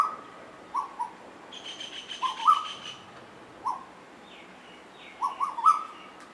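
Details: Pair of Asian koels singing and playing together; soft whistled notes in small clusters, a few stepping upward, spaced by pauses, with a faint buzzy higher sound partway through.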